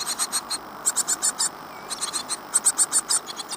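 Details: Great tit nestlings in a birdbox, 15 days after hatching, Falmouth, UK, April 2011: rapid bursts of high, hissy, buzzy begging notes, about four to six per burst, with short pauses between bursts.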